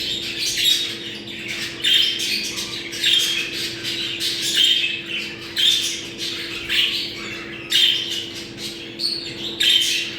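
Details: Budgerigar mating chatter meant to stimulate breeding: pulses of high squawky warbling roughly every second, interleaved with short chirps over a faint steady hum.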